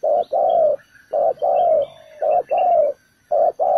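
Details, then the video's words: Spotted dove used as a ground decoy to lure wild doves into a trap, giving its full set of calls: loud, deep cooing notes in phrases of short and long coos, about one per second, with brief pauses. "Bẫy cu gáy mồi đất, bổi thổ đủ bài"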